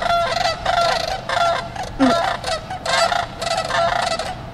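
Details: Trumpeter swans at Wildlife Safari Park, Gretna, Nebraska, give loud, resonant, horn-like honks, several birds overlapping in bursts about half a second long, brassy and clear against a quiet background.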